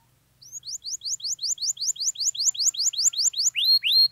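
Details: Canary singing to encourage silent canaries: after a quiet start, a run of rising whistled notes about four per second, closing with two longer upswept whistles; faint low hum underneath.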